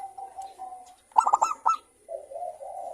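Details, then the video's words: Local zebra dove with a clear crystal voice, recorded as a lure to set other doves singing: a single short burst of a few ringing coo notes between stretches of low, soft murmuring. "pancingan perkutut lokal gacor suara kristal bagus untuk Merangsang BUNYI kutut."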